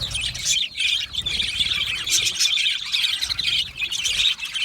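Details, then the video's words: Happy budgies chattering together in a colony: lively high twitters and trills pouring from several birds, with brief dips where the chorus thins before swelling again. "Australian Budgie singing sounds | Australian Budgie chirping sounds"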